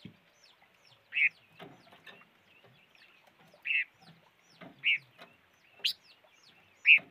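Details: Silver-eared mesia uttering short, buzzy notes spaced a second or more apart, against faint background chatter.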